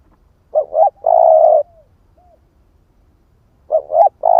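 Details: Lure cooing from an 'ức chẻ' spotted dove: a double short coo, then a long mellow held note and a faint trailing slur. After a pause the phrase begins again with two rising notes and a long coo.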